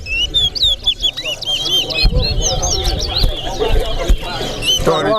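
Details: Towa towa bird singing in a competition at Corriverton, loud looping whistled notes repeated rapidly while crowd murmur and low rumbling continue underneath.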